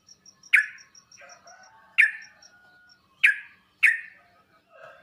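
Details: Sooty-headed bulbul sound used for tutoring, meant to make other bulbuls answer and sing at once: four loud, sharp, downward-sweeping notes spaced about a second apart, with faint softer twitters and a thin repeated high ticking between them.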